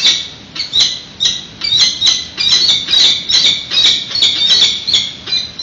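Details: Peregrine pair at a San Francisco nest during a March food delivery, egg unhatched: grating, rasping cries repeated rapidly, some notes running together into longer chattering stretches.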